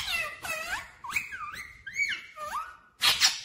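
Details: Talking parrot kept as a pet, said to speak 'mummy papa' in a clear voice, producing a string of speech-like warbled syllables with sliding, wavering tones, ending in a short harsh burst.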